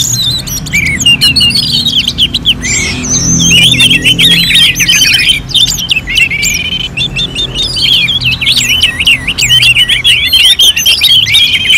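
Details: Orange-headed thrush in full contest-style song, North Bali: nearly unbroken torrent of looping whistles, squeaky chips and warbled trills, several voices overlapping, a brief lull around the middle.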